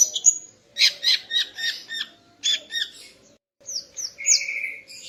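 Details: Female greater green leafbird singing in the morning to arouse a male: rapid bursts of bright chirps and sharp high notes, briefly pausing, then clear whistled slurs and a buzzy sustained phrase near the end.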